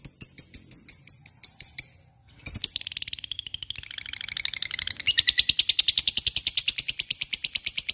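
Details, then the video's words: Provoking call of a lovebird, the long ngekek trill aimed at rivals: a row of high chattering notes, a short gap, then a rough, dense burst building into a long, rapid, ringing trill. "lovebird akan terpancing emosi dan ikutan bunyi ngekek gacor"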